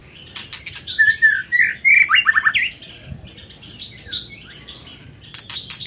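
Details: Lively Scarlet minivet song: strings of whistled slurred notes run into a fast rattling trill, then softer twittering phrases, with sharp clicks at the start and end.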